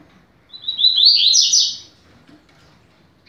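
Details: Teaching song of a double-collared seedeater in the fast-beaked 'rápido de bico' style: a single rapid phrase of buzzy chirps rising steadily in pitch into a dense, high trill, over a faint low background hum.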